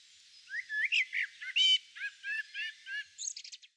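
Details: Endemic New Zealand Tui, a honeyeater, singing while feeding from Protea, red Kakabeak and Grevillea flowers, filmed with a Canon R7 camera: a quick run of varied slurred whistles and rising notes, ending in a high buzzy chatter.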